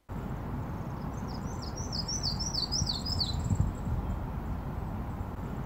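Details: A Yellow-throated Warbler song, likened to 'neater neater neater I'm so neat': a bright cascade of seven or eight clear, down-slurred whistles stepping lower in pitch, over a steady low rumble.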